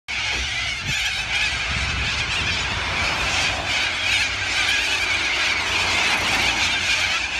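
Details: Cockatoos in Liverpool on the evening of 25 Aug 2020 screech without pause, many harsh, grating calls overlapping into a dense chorus that holds steady from start to finish.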